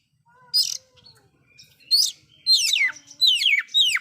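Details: Loud oriental magpie-robin song with fill-in phrases said to stir up other magpie-robins; a high note, a rising slur, then repeated rapid descending whistled sweeps in tight groups.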